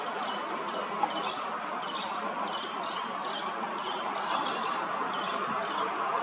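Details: Common linnets in Hrodna, western Belarus, on 12 September 2025: a male feeds a late brood of full-sized fledglings beneath a bridge. Thin high chirps come in uneven bursts against a constant low roar.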